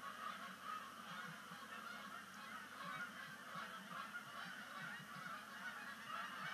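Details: Migrating Canada geese land on Sapsucker Woods Pond at sunset, 5 October 2019, the first splashdown of the year. Constant honking from many birds forms a thick chorus, with brief louder calls standing out every second or so.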